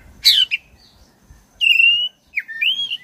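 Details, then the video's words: Black-breasted oriental magpie-robin used to provoke caged birds into singing: a harsh burst, then a long level whistle, a quick dip and a rising, looping whistled phrase over faint low noise. "ngeroll panjang! pancingan suara kacer gacor dada hitam istimeewa"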